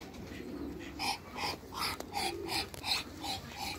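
A call duck gives a quick run of about eight loud, nasal quacks, nearly three a second, over faint background farmyard noise.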